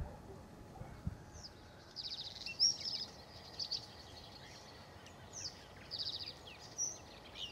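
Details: Bluethroat recorded on 7 May; high, thin buzzy and trilled phrases delivered in short bursts every second or so, some with sharp ticking notes, over a steady hiss of background noise.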